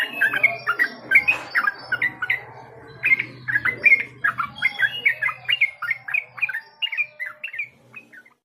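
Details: Yellow-vented bulbul song played as a warm-up lure, the bird known in Java as trucuk: rapid babbling phrases of short liquid whistled notes, bubbling continuously then fading out near the end, over a faint low hum.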